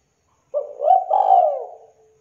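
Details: Zebra dove, described as a lively, clear, thick-voiced caller, giving one mellow, low cooing phrase that swells then fades over about a second and a half, clean and without background sound.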